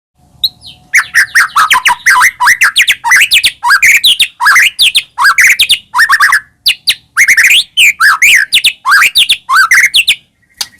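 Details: White-rumped shama singing energetically as a lure to make caged birds sing, a dense rapid stream of loud rising and falling whistled notes and harsh chattering phrases with barely a pause.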